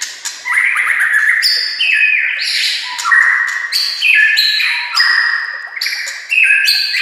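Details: White-rumped shama singing a training master song: a continuous, dense stream of bright whistled notes jumping between pitches, several overlapping phrases delivered without pause.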